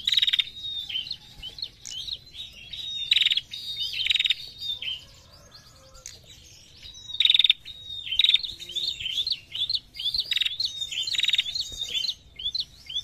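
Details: Female prinia, very vocal, giving the narung style of call: sharp high chirps and short whistled trills, in repeated bursts of two to three rapid notes with brief pauses between groups, plus quieter twittering.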